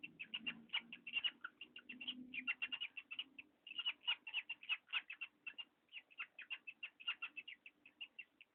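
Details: Parrot squeaking: rapid runs of short, high, creaky squeaks repeated almost without pause for over eight seconds, in uneven bursts, over a faint low hum.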